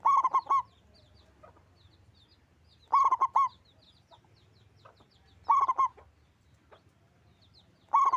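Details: Local zebra dove giving loud, persistent song, with repeated bursts of three or four rapid, rolling coos about every two and a half seconds, plus light high chirping from other birds in the gaps.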